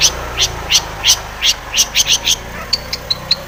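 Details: Long-tailed shrike, a lure recording meant to provoke singing: a run of short harsh broadband notes about three per second, then three brief high clipped whistles near the end.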